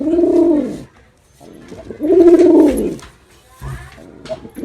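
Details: Performing male pigeon with deep, arched coos, each roughly a second long, separated by short pauses and a clipped final note.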